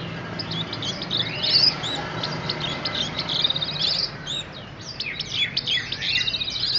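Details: Ringed orange-headed thrush (anis merah) kept for sale at Graha Raya, Serpong, singing in lively 'gacor' fashion: a rapid tumble of varied high whistles, slurred chirps and twittering notes, continuous and sweet, over a low background hum.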